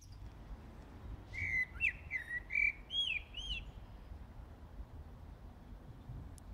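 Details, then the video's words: Common blackbird singing in the dead of night, early morning of 15 January 2018 in Brussels, Belgium: a short phrase of fluting, slurred whistles and rising notes, then quiet low background hum. "Blackbird Singing in the Dead of Night"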